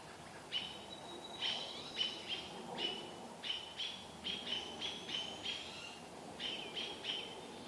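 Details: American robins mobbing a mother barred owl in Vancouver, an owlet looking on: clipped, piercing high notes, often in pairs or triplets, repeated about every half second with brief pauses, over quiet background.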